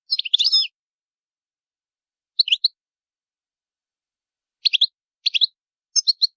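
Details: Goldfinch calling to warn intruders from its territory: an opening burst of mixed twittering, then widely spaced short clusters of two or three sharp chirps separated by silences of one to two seconds.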